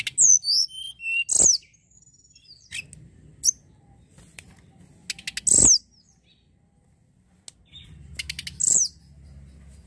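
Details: High-pitched snowy-browed flycatcher song on a lure track to trigger singing: quick pulsed notes and thin sweeping whistles in bursts, with repeated sharp broadband clicks and a low hum late on.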